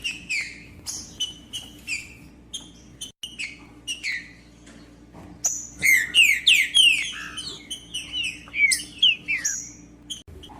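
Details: Trinca-ferro, the green-winged saltator, kept caged and sung to warm up silent birds for tournaments: sparse soft chips and short notes at first, then a loud cluster of sharp descending whistles and chirps before tapering off; low hum throughout.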